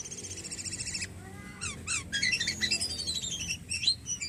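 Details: Javan pied starling, a kept cage bird, in energetic full song: rapid rattling chatter, buzzy trills and long descending whistled slurs, with sharp repeated notes near the end.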